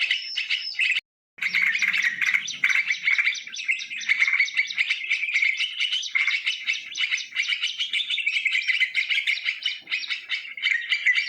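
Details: Lure recording of wild yellow-vented bulbul song taken in nature: after a short opening phrase and a sharp cut, a long unbroken stream of rapid gurgling, chattering notes, steady and dense throughout, with faint low sound early on.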